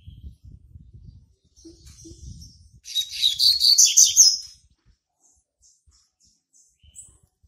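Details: A young male Double-collared seedeater, hatched March 2019, sings one quick burst of high, scratchy twittering notes, about two seconds long, as if starting to mark territory. Faint chirps come before and after over a low rumble.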